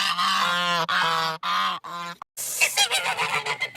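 Geese give four loud, nasal honks in quick succession, then break into harsher, overlapping cackling calls.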